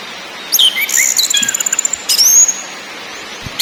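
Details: Orange-headed thrush lure song in ngakrak, ngeplong and nyiul styles: brief bursts of high twittering and a fast run of clipped ticking notes, then a long sweeping whistle, over hiss.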